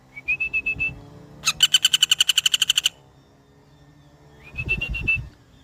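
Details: Pelatuk bawang, the common flameback, gives one long fast rattle of sharp repeated notes lasting over a second, framed by brief wavering whistled phrases and faint low rumbling.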